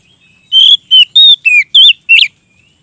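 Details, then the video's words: Oriental magpie-robin in loud 'ngeplong' song calling a rival: six ringing high whistles in quick succession, mixing flat, rising and falling notes, the last one rough and buzzy. "suara burung kacer gacor ngeplong memanggil lawan"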